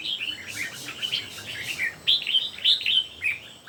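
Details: Red-whiskered bulbuls, three birds in a singing contest, trade quick clear whistles and chirpy warbled notes. Several voices overlap, growing louder toward the second half, against steady low background noise.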